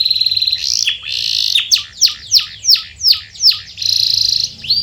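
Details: Canary song used as a lure to get silent canaries singing: a steady high buzzy trill, then a row of quick descending whistled notes about twice a second, ending in another rolling buzz.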